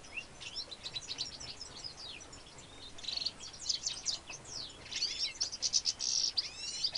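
A goldfinch x redpoll hybrid sings a fast, rambling twitter of high chirps, liquid trills and brief buzzy notes, running on without pause over faint hiss.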